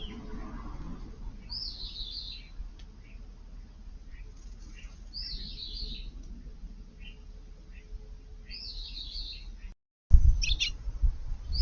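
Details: Eurasian tree sparrows dust-bathing in a garden flowerbed on a hot day, 5 August, giving short, bright chirps in small bursts about every three seconds over a low background rumble; a loud thump near the end.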